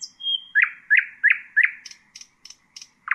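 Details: Nightingale song for teaching young birds: four loud slurred notes repeated about every third of a second after a brief high whistle, then faint high clicking notes.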